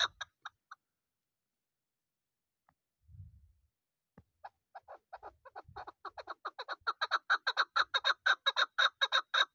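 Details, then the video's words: A season's young hunting chukar partridge calls with a few scattered notes, then from midway breaks into an accelerating string of clucking chuk notes growing steadily louder until the end; a soft low thump is heard early on. "اس سیزن کا بچہ شکاری چکور کی اواز dese shikari chakor ki awaz sund"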